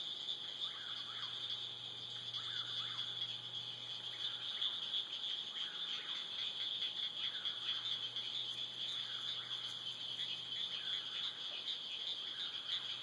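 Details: An eastern whip-poor-will at dusk repeats its rhythmic whistled song over a steady, shrill chorus of frogs and insects.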